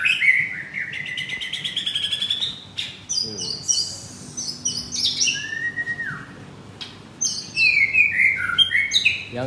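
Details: White-rumped shama in full song at a Kemayoran, Jakarta bird shop, Monday 25 April, late morning, a bird of two to three moults: rapid repeated notes, then clear whistles, descending slurs and bright chattering phrases.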